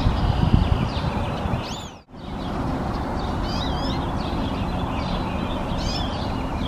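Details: Hooded siskin singing sweet, bouncy whistled twitters in short looping phrases, with a brief dropout early on and heavy low-pitched background noise throughout.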